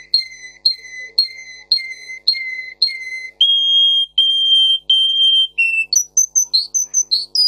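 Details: Singing Russian canary, bred for song, in a tutor recording for canaries: six evenly spaced whistled notes with a flicked start, then three longer higher whistles, a lower one, and a burst of quick high chirps.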